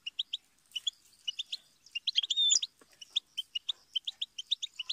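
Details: Goldfinch giving rapid, evenly spaced high chirps, often in pairs or triplets, as a steady twittering series, broken midway by a brief louder buzzy, scratchy flourish, then resuming the regular chirping.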